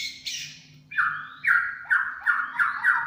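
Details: White-rumped shama, a champion, in 'tembakan cililin' song style: a harsh high note followed by a series of about six loud, slurred, downward notes at mid pitch, given roughly every third of a second.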